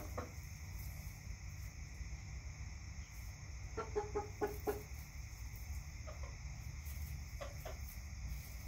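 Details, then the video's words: Domestic chickens in a backyard give a short, quiet run of quick clucks midway, with a few scattered single clucks after it, against a soft constant hum. "CHICKENS CLUCKING"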